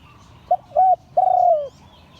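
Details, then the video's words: Single Liu Tan style crow from a spotted dove of an auspicious line: two short hollow coos, then a sustained mellow note drifting lower in pitch before stopping. Soft low rumble underneath. "เสียงขันนกเขาใหญ่ # หลิ่วตัน"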